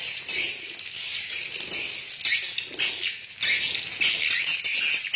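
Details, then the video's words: Swiftlets inside a swiftlet house, a dense flock's continuous high buzzy twittering in overlapping waves, swelling and fading every second or so, with no other sounds. "INILAH SUARA ASLI BURUNG WALET DALAM RBW"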